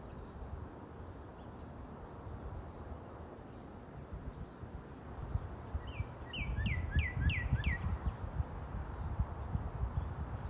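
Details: Male Northern Cardinal singing its mating call in the early morning on a property with three pairs. It gives a quick run of about five clear, downslurred whistles, each under half a second, over a steady low rumble of wind or traffic.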